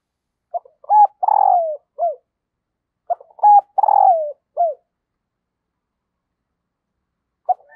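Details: Hen dove giving a call to stir the male, said to bring wild males in quickly: two matching phrases about two seconds apart, each with ticking notes, a long buzzy descending coo and a short falling note, then silence.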